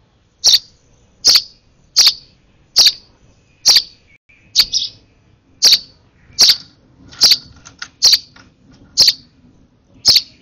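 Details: Hand-fed baby sparrow, over-excited at its last feed, begging with a steady run of about thirteen sharp, high chirps, roughly one every 0.8 seconds, in a quiet room.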